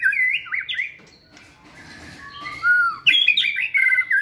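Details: Caged white-rumped shama training in a flight cage, singing energetically: loud, varied whistled phrases with rapid rising and falling slurs, a quieter pause in the middle, then a bright burst of fluty notes.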